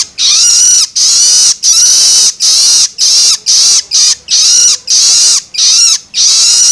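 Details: Juvenile long-tailed shrike begging calls, used to stimulate adult birds: harsh, raspy, high-pitched shrieks repeated in a steady series of about a dozen, each lasting roughly half a second with short silent gaps.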